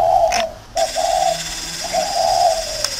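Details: Spotted dove decoy in a round cage in Vietnam giving a short burst of low coos. A click and a brief silence follow, then a longer, drawn-out coo.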